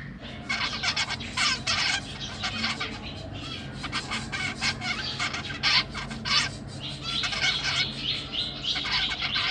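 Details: Zebra finch babies in a cage, three juveniles plus three newborns, fed by busy parents; dense, continuous high-pitched buzzy chattering and squeaky calls pour out in overlapping bursts throughout, from several birds at once.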